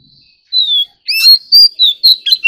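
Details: An ornamental Oriental magpie-robin in competitive song. A drawn-out falling whistle opens the phrase. Loud, sharp, upslurred and downslurred whistles follow in quick succession, with a few thin high overtones.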